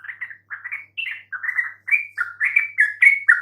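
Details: Bulbul song intended to trigger replies from mute yellow-vented bulbuls: rapid, bubbly phrases of slurred notes, several per second, rising into brighter, higher chirps toward the end.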